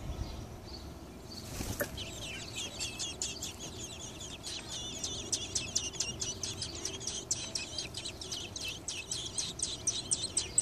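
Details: Baby robins in a nest on a light beside a garage door, awaiting the mother's return with a worm, recorded on a phone: a steady stream of thin, high, rapid chirps over a hissing background, with a brief rustling burst early on.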